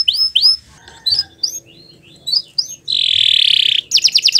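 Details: Canary song for training young birds: separate short rising-then-falling whistles with gaps, then a sustained buzzy trill and a quick burst of fast notes.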